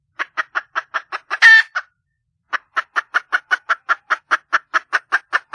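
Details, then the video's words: A wild red junglefowl hen calling for a mate; steady rhythmic clucking, a loud rasping squawk, a short silence, then a long even run of clucks. "le bruit d'une poule sauvage,เสียงไก่ป่าร้องหาถู่หาตัวผู้,ສຽງໄກ່ປ່າຮ້ອງຫາຄູ່ຮັກ, poj qaib qus see"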